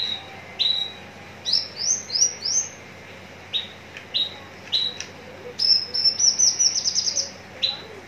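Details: Contest-ready Javan bush lark at Citra Raya, Cikupa, Tangerang: high whistled notes in short groups, some upward-sweeping, ending in a rapid, tightly packed trill-like series.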